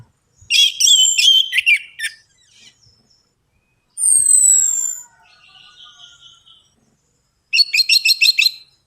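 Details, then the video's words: Orange-headed thrush lure song for birds that are hard to get singing; a dense stuttering run of notes, a pair of drawn-out descending whistles, softer trills, then another rapid repeated series. "DENGAN PANCINGAN ANIS MERAH AMPUH INI, ATASI SUSAH BUNYI ANIS MERAH"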